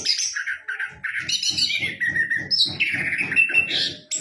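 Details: Orange-headed thrush in full song; a continuous stream of varied whistles, trills and slurred notes rising and falling, over a steady fast clicking background rhythm.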